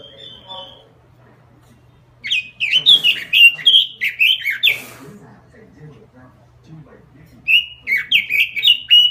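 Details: Robin song used as a lure call, in full continuous "gacor" singing: bursts of rapid, warbled, whistled notes separated by pauses of a couple of seconds, with a faint low hum underneath.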